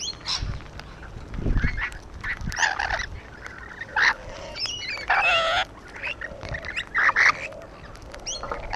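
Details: Harsh, broadband screeches from rainbow lorikeets on a wall, loud raspy bursts of about half a second scattered among softer chatter, with some low thuds beneath.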